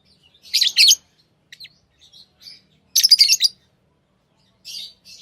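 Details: Tame pet lovebirds chirping: bursts of sharp, high, buzzy chirps grouped in short clusters about every two seconds, with softer twitters between and quiet gaps.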